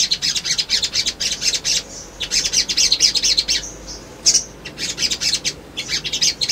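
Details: Agitated male sunbird singing as a lure to make birds answer and seek an opponent: repeated bursts of shrill, rapid chirps and crackling twitters separated by short gaps, with a few thin whistled notes.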